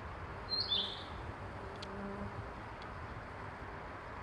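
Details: Narcissus flycatcher, wild, in Oyama, Tochigi Prefecture, Japan: one short high whistled phrase with a quick downward twist near the start, then steady background hiss.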